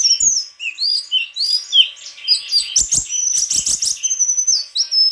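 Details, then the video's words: Rich, energetic White-throated flycatcher song: tumbling whistled phrases, then a rapid high trill and a closing pair of long whistles. "Sikatan krongkongan putih suara gak kalah sama burung kicau lain"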